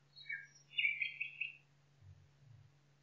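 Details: Singing nightingale in a forest: quick high chirps, then a rich gurgling warble for about a second, followed by two soft low thuds and a continuous background hum.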